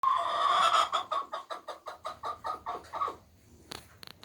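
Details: Hen giving an egg song around laying time: a run of rapid, evenly spaced harsh clucks about two to three per second, fading after three seconds, followed by a few faint clicks.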